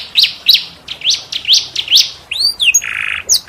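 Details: Canary song in a unique cengkok style, played to tutor other canaries: spaced sharp upswept chips over a soft buzz, followed by curving whistles and a short buzzy note.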